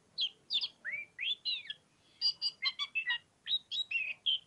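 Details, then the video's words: Energetic ngobra singing from an oriental magpie-robin: clear rising and falling whistles, bright slurred notes and a rapid cluster of sharp chirps, about a dozen notes in quick succession. "KACER POCIKU NGOBRA NGOBRA BUNG"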